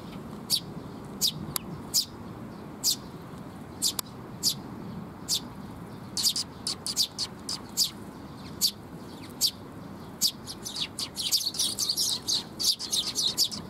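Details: Sparrows arriving to be fed on 19 June 2021 near a bridge (水上橋): scattered short high chirps at first, then quickening into a dense burst of overlapping chirping near the end, with low background hum.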